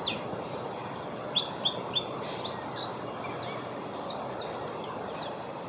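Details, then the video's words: Asian glossy starling in Singapore on 4 September 2021 giving sharp, high, metallic chirps, three in quick succession, then more scattered ones, over a steady low background rumble. "亚洲辉椋鸟 叫声 Asian Glossy Starling call"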